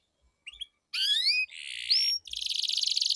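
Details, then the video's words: Canary song in a duel of two birds with long rolls, used as a lure to get silent competition canaries singing: a few short sweeping chirps, then a bright rising whistled phrase, a buzzy burst, and a rapid pulsing trill. "Duel Burung Kenari Suara Merdu Ngerol Panjang || Pancingan Ampuh Kenari Macet Gacor Ngerol Panjang"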